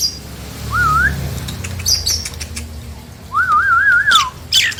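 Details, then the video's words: Nias hill myna song used as a lure to make silent, lazy mynas answer and sing: two clear wavering whistles, a short one then a longer rippling one, with faint clicks and rustles between. "Tempel dan pancingJALAK NIAS ini agar jalak nias yang macet dan malas bunyi lngsung nyaut dan gacor!"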